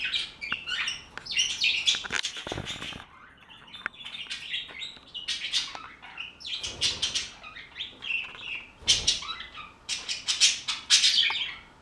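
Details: Flock of budgerigars chirping and warbling in high, scratchy bursts, with several loud rushes of wingbeats as birds flutter about between the calls.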